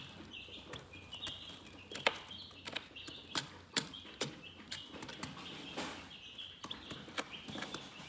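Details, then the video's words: Chickens chirping calmly: a continuous layer of thin, high peeps beneath a series of sharp, irregular clicks and taps spaced across the recording. "Chicken Relaxing Soothing Chirping Sounds"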